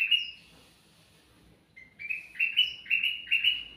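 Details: A sooty-headed bulbul, singing as a lure for other birds, gives one bright whistle, falls silent, then delivers a fast series of five or six slurred, stepped chirps, each ending higher.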